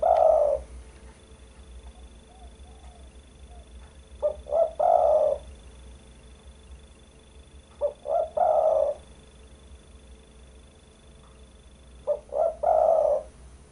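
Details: Spotted dove cooing, used as a lure sound to attract birds. Three low soft cooing phrases come about four seconds apart, each a few short lead-in notes and then a longer hollow coo, over a steady low hum.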